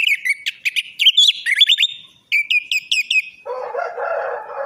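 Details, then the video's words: Orange-headed thrush song played to prompt a silent, reluctant or stressed bird to sing: rapid clear whistled notes and slurred phrases with sharp chips, then a harsh, rasping, noisy burst at the end. "pancingan Anis merah macet bunyi,males bunyi atau stres"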